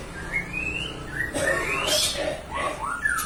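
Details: Young common hill myna singing loudly: rising whistles and slurred fluty notes with a harsh burst in the middle, a varied medley that mimics nature sounds and chickens.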